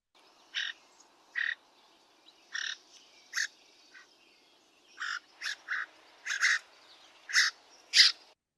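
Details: A cliff swallow gives its soft chirr, typical around nests: about a dozen short, buzzy, slightly rough chirrs at irregular intervals, mid-to-high pitched, against a quiet background. Cliff Swallow.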